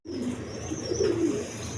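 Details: Native and foreign colour pigeons with eggs and chicks: a faint, low, rolling coo swells near the middle of the clip above a steady indoor hum.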